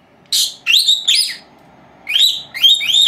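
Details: Pair of four-month-old female lovebirds kept at home, heard during their nap: rough, high, rising squeaky calls, first three in quick succession, then two more after a short pause.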